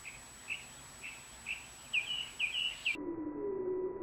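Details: 7 Bluebird chirps from a brood of five that hatched and fledged in June–July 2019: short, high notes about twice a second, growing louder and more clipped, then breaking off into a low steady hum.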